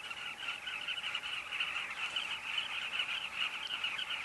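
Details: Colony of carmine bee-eaters at Kavinga Safari Camp: many overlapping, mid-pitched rolling calls blend into a steady, unbroken chatter with no pauses.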